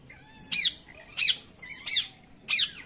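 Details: Baby parrot calling with four loud, harsh, downward-sweeping squawks spaced about two-thirds of a second apart, each preceded by a soft rising whine.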